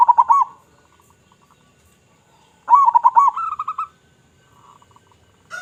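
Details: Lure recording of a vocal local zebra dove with a big voice: a brief burst of rolling coos, a quiet gap, then a fuller phrase of stuttered notes rising slightly into a run of even, repeated coos.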